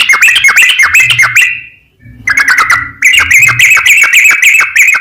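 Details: Yellow-vented bulbul singing energetically in the long rapid 'ropel panjang' style, used as a lure for other bulbuls: fast, bright chirps, a brief gap, then a steady run of sharp repeated notes with a faint low hum behind.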